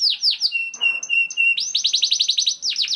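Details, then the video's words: ['Young canary singing as a lure for other canaries: a few swooping notes, a run of clear level whistles, then a rapid burst of repeated descending chirps.'] "KENARI GACOR DOR NGEDUR NGOTOT CUIT CUIT NGEROL AMPUH PANCINGAN KENARI PAUD"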